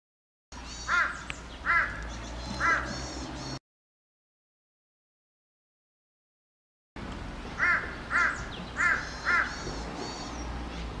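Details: Hundreds of crows on electricity poles in a neighbourhood; two bursts of rough caws, three in the first and four in the second, separated by silence, over a background of distant flock calls.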